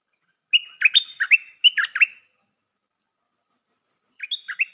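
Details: A decoy Stripe-throated bulbul gives two quick back-to-back warbling phrases of bright, bubbly notes, falls silent for about two seconds, then starts another phrase.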